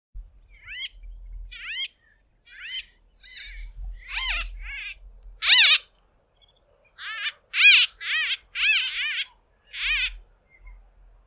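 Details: A small flock of White-fronted bee-eaters hawking insects from fence poles give loud, nasal, squeaky-toy calls in short, irregular bursts, several birds overlapping, with faint low rumbling in the background.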